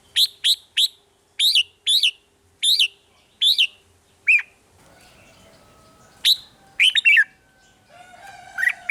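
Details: Song of a caged red-whiskered bulbul in Thailand, played to rouse other caged birds; a rapid series of short sharp chirps repeated in quick bursts, then softer background noise and a few further whistled notes.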